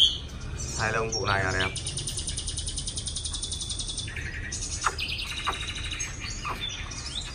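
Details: Caged Chinese hwamei newly brought to Hanoi, Vietnam, raised by locals in a small cage. A man speaks briefly over sustained buzzy high trills and scattered whistled notes.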